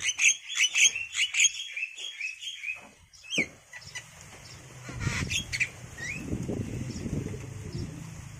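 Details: Javan myna chicks, aged five days, begging in a nest box as their free-flying parents feed them insects; about seven quick, harsh, buzzy squawks open the recording, followed by a steady low hum and scattered rustling.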